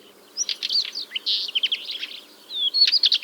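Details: Northern wheatear (Oenanthe oenanthe) singing in the nesting season, 10–12 June 2023, near a quarry in Ryazan region, Russia; a rarely heard song: a fast, scratchy jumble of high, squeaky and warbled notes in two bursts with a short pause.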